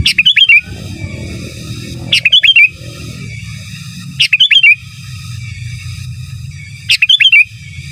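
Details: Sooty-headed bulbul used for masteran, repeating a crisp chirping phrase of twisting whistles four times at roughly two-second intervals, a faint low hum underneath.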